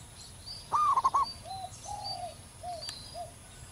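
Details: Zebra dove in the wild delivering a strong, long song valued for tutoring captive birds: one rising coo breaking into quick staccato notes, then several softer, lower drawn-out coos from a second bird. Faint high bird chirps behind.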